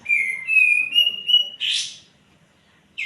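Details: White-eared bulbul song played to stimulate other birds into singing: clear whistled notes stepping slightly upward in pitch, followed by a short harsh burst, then silence and another brief note at the end.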